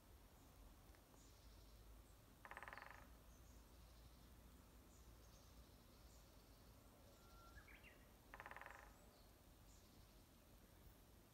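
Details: Japanese green woodpecker drumming, unseen, at the trailhead of Haruna-Fuji: two rapid, rattling drum rolls about half a second each, six seconds apart, faint against a hiss of insects and quiet distant bird calls.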